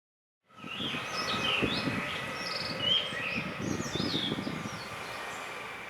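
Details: Blue rock thrush singing on Hahajima in Japan's Ogasawara Islands: clear whistled notes and short slurred phrases, some rising and some falling, over steady low rumbling background noise.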